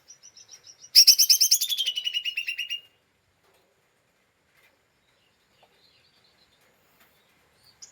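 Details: Lesser green leafbird in agitated ngeriwik chatter, used as a lure to provoke other birds: a few thin high notes, then about two seconds of loud, fast, harsh, rattling notes that soften and stop, followed by silence.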